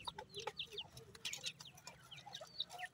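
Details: Baby francolin chicks peep while they play alongside pheasant chicks. Scattered bright, brief chirps and slurred notes fall in quick irregular succession, over faint low background noise.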